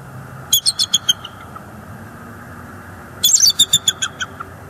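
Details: Bald eagles at a northeast Florida nest cam, 18 December 2022, with an adult female chasing juveniles away: two short series of fast, high, squeaky piping notes separated by about two seconds of quiet.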